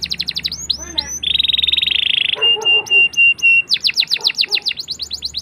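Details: Canary singing as a lure for juvenile canaries learning song: chirps, then a rapid buzzy trill, a series of short flat whistled notes, and a closing run of fast high chirps.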